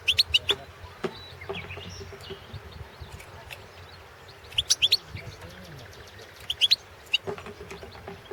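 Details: Balkan European goldfinch (Carduelis carduelis balcanica) singing for a Serbian internet song championship: clusters of quick high twittered and tinkling notes in three separate bursts, with short pauses between, over a faint low hum.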